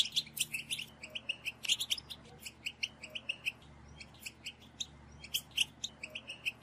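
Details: A group of European goldfinches calls to stimulate males to sing: steady, quick tinkling chirps and short twittered notes, evenly spaced, with a few louder ringing notes standing out.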